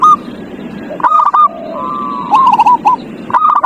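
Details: Zebra dove singing, used as a lure for a dove that will not sing: short bursts of clipped cooing notes separated by a long, level drawn-out tone and a fainter lower coo.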